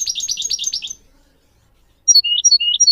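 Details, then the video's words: Singing goldfinch as a model for training goldfinch mules and canary: a fast rolling twitter, a brief silence, then separate clear whistled notes alternating high and lower. "Teaching goldfinch mules and canary to song"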